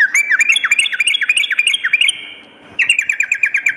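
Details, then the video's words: Sooty-headed bulbul at night giving quick, repeated downward-slurred whistled chirps in a tumbling phrase, a half-second silence, then a fresh burst of the same rapid notes. "terapi trucukan dimalam hari_ampuh mendongkrak mental fighter burung trucuk"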